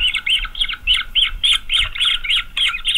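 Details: Green wood hoopoe chicks, growing fast in a nest watched by a camera in Pretoria, South Africa on 9 November 2023, beg with harsh, rasping squawks about three times a second in a steady, insistent chorus.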